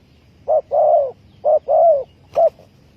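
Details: Spotted dove calling as a trapping lure: soft, hollow coos in two short-then-long pairs, then a brief closing coo, against a quiet background.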